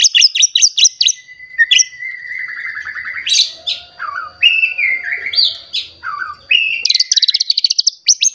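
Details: An agitated white-rumped shama looking for a rival sings rapid ticking notes, then slurred whistles, buzzy trills and clear rising phrases, ending in a fast rattling series.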